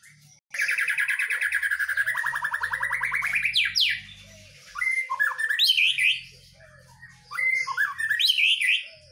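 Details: Caged white-rumped shama singing vigorously while set out in the morning dew: a long fast buzzy trill, then varied sharp whistled and slurred phrases, over a low background hum.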